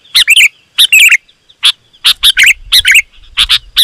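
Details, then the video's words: Sooty-headed bulbul in loud, rapid song used as a lure for wild birds: paired and tripled bright chirps with a few bubbly, warbling notes, spaced by short pauses. "Suara Burung KUTILANG GACOR, Rapat dan Lantang Burung Kutilang Liar Auto Emosi dan Mendekat"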